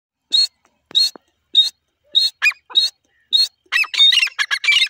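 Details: Grey francolin pair calling, with a female voice: sharp, high, squawky notes repeated roughly every half second, then quickening into a rapid, jumbled burst of overlapping calls at the end.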